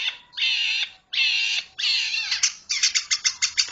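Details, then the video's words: Long-tailed shrike uttering long, grating squawks of about half a second each, three in a row, followed by a fast run of short, sharp chattering notes. "Suara burung pentet"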